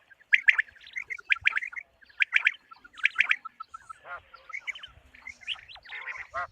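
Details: Common quail call meant for quail hunting in the morning: grouped chirpy notes repeated about once a second for three seconds, then rougher, squawking and buzzy notes with faint low thumps.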